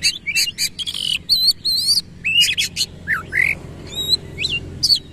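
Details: Oriental magpie-robin singing 'nembak ngerol' with tail spread: quick buzzy chatters and wavering whistles early, then spaced swooping rising notes and thin high whistles toward the end.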